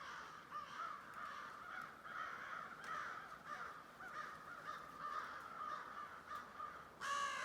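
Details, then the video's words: Large crow flock numbering in the thousands, giving an unbroken din of coarse caws, closing with one loud, clear, nearby call at the very end. "Thousands of Crows Weird noise in the background of them."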